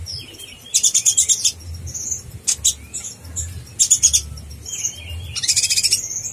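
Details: Konin blorok in full voice as rough training song for contest birds: repeated bursts of rapid, very high pulsed trills separated by short thin whistles, the last burst longest.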